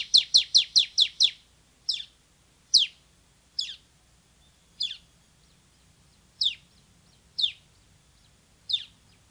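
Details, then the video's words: Semi-active bar-winged prinia singing loudly: an opening run of seven rapid high chips, followed by single sharp downslurred notes spaced about a second apart, with a soft low hum behind. "MASTERAN CIBLEK SEMI GACOR VOLUME TEMBUS"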